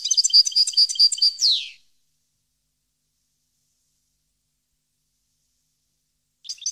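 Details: European goldfinch recorded in 2015 in Parva, ending a phrase of rapid tinkling notes with a falling buzzy slur, followed by long silence and a short burst of twitter at the end.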